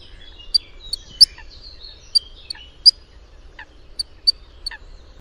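Eurasian Coot giving sharp, explosive high ticks, about ten in five seconds at an uneven pace, with soft twittering notes in between.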